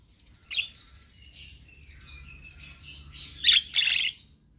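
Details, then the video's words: Black-winged starling song meant to prompt quiet captive birds to sing: a short harsh note, a soft wavering whistle, then two loud rasping bursts. "Terapi Jalak Kebo Malas Bunyi / Jalak Kebo Stres Gak Mau Bunyi - Pancingan Burung Jalak Gacor"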